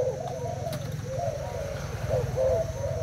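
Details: Spotted dove of Thai stock, caged for two days, cooing in a contest against a decoy bird; soft rounded low coos in short phrases over a steady low hum.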